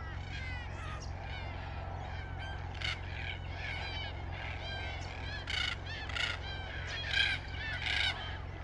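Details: Red-tailed black cockatoos giving loud, grating, rolling calls in quick overlapping bursts, the strongest near the end, with a constant low droning hum beneath.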